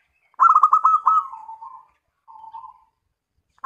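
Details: Local zebra dove song used as a lure: a rapid string of clipped coos sliding downward into a softer trailing hum, then a brief quiet coo.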